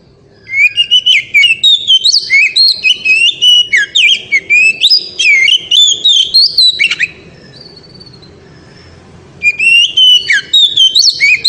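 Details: Very loud ngeriwik song of an oriental magpie-robin, meant to excite a female: a dense run of sharp whistled and warbled notes for six seconds, a short pause, then the rapid phrases start again.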